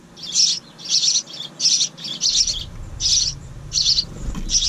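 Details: House wren nestlings in a bird house by a kitchen window, the pair's second brood of the year, giving harsh, raspy high begging bursts about one every two-thirds of a second over faint low rumble.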